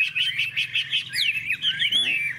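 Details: Hwamei, caged contest bird with a wide spread tail, singing during a song fight; rapid repeated whistled notes in a steady pulsing series, then twisting slurred phrases with a brief lower chatter.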